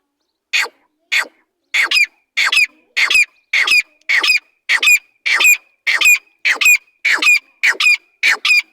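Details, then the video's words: Partridge (teetar) kept by its owner, giving loud harsh calls in a steady series, about one every half second, each a rasping burst ending in a short ringing note, with nothing else heard. "teetar sound/teetar ki awaz/teetar boli"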